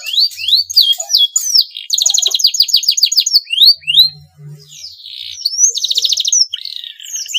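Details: Male canary in breeding condition, singing to provoke rival canaries into song, mixes sweeping whistles and rapid rattling trills, with a short pause midway.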